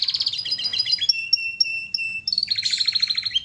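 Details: Canary singing for a training recording: a quick rolling trill, then a row of clear, evenly spaced whistled notes at two pitches, then a fresh rapid trill at a high pitch.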